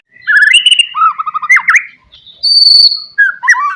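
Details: White-rumped shama song meant to provoke rivals, mixing low clear whistles, quick dipping notes, a long high thin whistle and rising phrases at the end.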